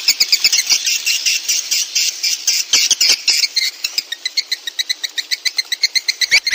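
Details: Swiftlet calls played to attract swiftlets: dense, high, chattering chirps that run together at first, then settle into a quicker, more separate twittering sequence.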